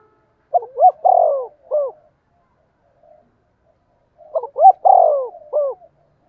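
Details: Spotted dove repeating its lure coo for wild birds: two clean phrases about four seconds apart, each with two short notes, a long low coo and a hooked final note.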